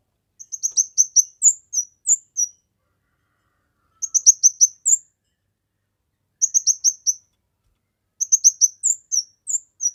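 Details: Kemade song for tutoring, luring and prompting other birds: a repeated phrase of rapid high chirps followed by two or three clear whistled notes, given four times with pauses of about two seconds.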